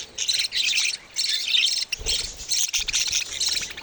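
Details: Young budgerigars give rapid bursts of high, buzzy chirps, each about half a second long, broken by brief pauses.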